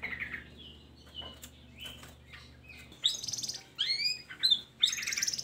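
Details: Long-tailed shrike song used to lure lazy shrikes into singing: quiet thin whistles and short notes at first, then louder harsh rising chirps and buzzy bursts in the last two seconds.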